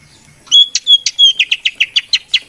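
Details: Greater green leafbird lure song for coaxing lazy birds: sharp clear whistles alternating with short buzzy chirps, then a quick regular series of chip notes.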